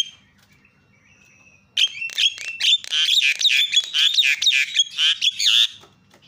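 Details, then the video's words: Javan myna calls used to get other mynas calling: after near silence, a loud burst of harsh, rapid chattering squawks with whistled tones runs for about four seconds before stopping. "GAK PERLU LAMA BIKIN JALAK KEBO JADI TERIAK"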